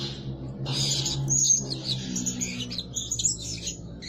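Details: High twittering squeaks from a Blue-crowned hanging parrot decoy that calls day and night, starting after a short pause, with a low humming drone in the background.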